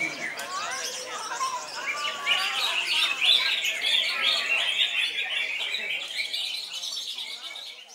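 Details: Greater green leafbird, called cucak ijo, delivering continuous 'koncer' song at loud volume: lower twittering notes build into an intense, high, rapid torrent of chattering whistles, fading slightly toward the end.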